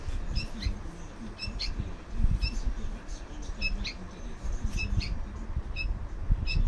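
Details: Two lost baby bulbuls, found by a roadside and being hand-fed, give thin, high squeaky begging notes in short paired bursts about once a second, over heavy low rumbling and handling noise.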